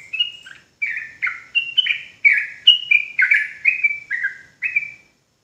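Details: Sooty-headed bulbul from Java in lure song that provokes rival bulbuls: a continuous chain of about a dozen rich warbled notes, alternating higher flat whistles and lower down-slurred chirps, with no pause. Nothing else is heard.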